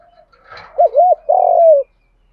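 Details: Spotted dove cooing in the style known locally as 'đồng pha thúc gù', used to stimulate caged doves to coo: a soft lead-in, two quick rising-falling hooted notes, then one long steady coo, in a quiet indoor setting.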